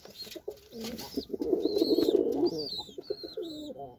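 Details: Indian white Lokkha pigeon cooing, a low murmuring roll that swells through the middle of the clip, with quick high chirps from small birds scattered above it in an indoor setting.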